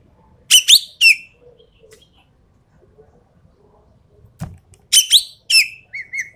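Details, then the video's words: Javan pied starling giving a full 'tembakan' (shooting) song used to test the nerve of champion birds: two harsh, rasping bursts early on, a quiet gap, then a further run of short scratchy notes. Faint low rumbles sit underneath. "BURUNG EKEK KELING SUARA FULL TEMBAKAN COCOK BUAT TEST MENTAL BURUNG JUARA"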